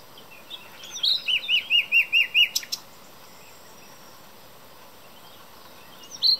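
A common nightingale gives a high opening note, then a quick run of six rich, upward-hooked notes, followed by a pause and one more high note. The background is quiet.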